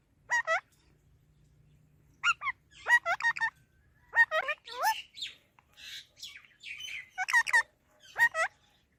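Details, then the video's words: Parrot calling in short groups of hooked, nasal squawks and chattering, speech-like syllables, with brief gaps between bursts and faint hum early on. "Talking Parrot Natural Sounds"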